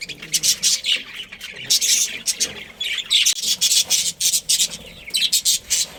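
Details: Budgerigar colony chirping: dense bursts of high, scratchy chirps and squawks, several birds overlapping in rapid clusters with short gaps throughout.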